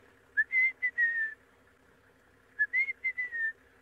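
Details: Rufous-naped lark calling from a bush to its right in the Mara at sunrise, given as two short phrases of clear whistled notes, slurred and slightly rising then falling, separated by about a second of quiet; faint low hum behind.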